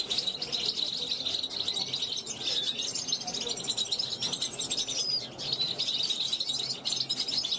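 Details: European goldfinch, a 2021 youngster, calling toward wild goldfinches flying past a balcony; sustained high-pitched twittering, tinkly and chattering, with a few clear whistled notes standing out near the end.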